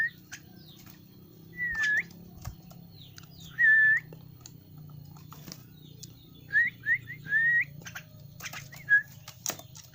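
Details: Young Javan myna kept as a pet in a cage: upward-curving whistles spaced a few seconds apart, then a quick run of three rising whistles, with a low steady hum behind.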